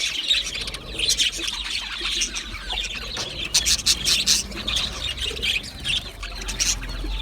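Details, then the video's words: Budgerigars from Australia sing and chirp together in a dense, overlapping chatter of high, bright notes and short squeaks that continues with no pause. "Budgie singing and chirping sounds | Australian Budgie sounds"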